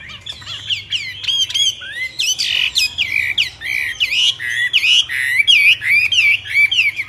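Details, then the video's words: Myna giving a lively series of whistled, warbling notes that swoop up and down, mixed with harsh squawks, about one or two each second. "طيور البرية غريبة التغريد و من بينهم طائر المينا"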